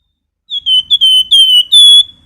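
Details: Singing flamboyan in nyiul style, used as a master song: a brisk series of clear whistled notes, slightly falling, the last note the longest and steadiest, with near silence around it.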